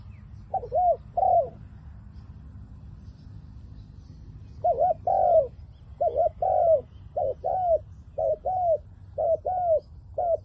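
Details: Spotted dove working as a decoy to lure wild doves, in 'liu tan' style: a pair of coos, a long pause, then a rapid run of repeated arched, slightly falling coos.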